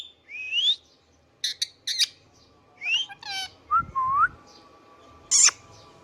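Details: Pet Indian ringneck parakeet mixing rising whistles with clipped squawking notes, a harsh buzzy burst, a lower drawn-out whistle and a sharp click, with some low thumping in the background.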